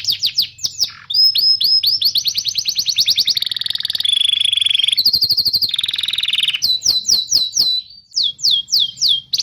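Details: Canary song used as a training track for young canaries and for birds that have stopped singing; rapid trills, buzzy rolls and descending whistled sweeps in varied phrases, high-pitched and continuous.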